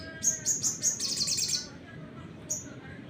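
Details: Sunbird song meant to provoke other birds: a quick series of high piercing whistles speeding into a dense buzzy trill, then a pause and one more lone whistle.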